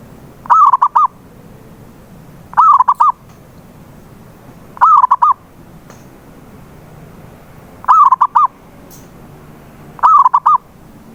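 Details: Lure recording of a local zebra dove to make a silent dove sing: five evenly spaced coo phrases, each a short rising note then rapid choppy coos, against a soft low hum.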